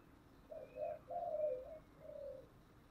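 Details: Cooing spotted dove, 'thổ' voice style, in 'thúc' and 'gáy gọi' calling: a phrase of four low, hollow coos, a short note, a double note, a longer drawn coo, then a final coo after a brief gap.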